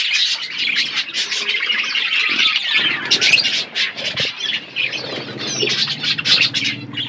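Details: Budgerigars in a natural outdoor aviary eating seeds; a steady mass of rapid, buzzy warbling and sharp chirps from several birds, with a low steady hum underneath in the second half.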